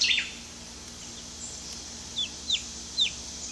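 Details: Two-week-old hatchery chicks, spending their first minutes outdoors in a crowded coop, give a few separate high downslurred peeps about half a second apart, with faint background hiss.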